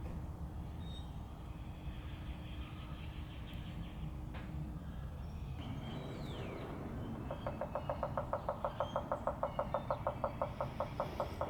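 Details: Woodpecker carving out a hole to live in within a hollow branch in West Tennessee. Steady low background rumble, then in the final four seconds a fast, even run of tapping knocks, about four per second.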